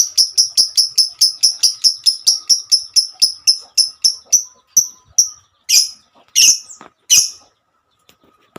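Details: Lovebird hen calling companions with a long 'ngekek' song: a steady run of sharp high chirps, about three per second, that slows and ends in a few louder, harsher descending squeaks.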